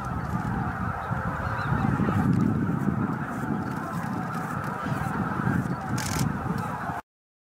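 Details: Greater white-fronted geese in a flock of about 15,000 arriving at their evening roost on Miyajima-numa marsh, Bibai, Hokkaido, Japan, 11 April 2016, 18:00–18:30; dense overlapping honking and cackling from many birds, continuous throughout.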